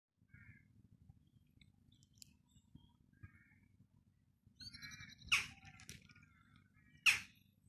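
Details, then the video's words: Western jackdaws in Gildredge Park, Eastbourne, East Sussex, calling near crows: short nasal chack calls, scattered at first, then two loud sharp calls about two seconds apart, over a low background rumble. "the sounds of crows and jackdaws"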